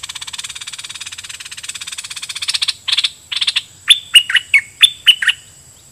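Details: Caged decoy red-whiskered bulbul singing at wild birds in doubled song phrases: a dense, fast buzzy pulse train for nearly three seconds, then loud, clear, rolling whistled notes in quick separate bursts, with a steady high hiss behind.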